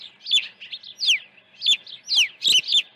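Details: On a ranch nest during the early feeding of 1 June 2019, an osprey gives excited, crowded whistled chirps, each dropping in pitch, five or six bursts in quick succession.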